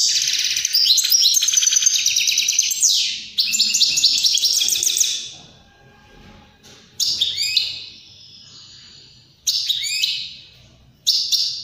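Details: European greenfinch song played to stimulate other birds to sing and mate: fast twittering, buzzy trilled phrases at a high pitch, broken by pauses and followed by short rising bursts.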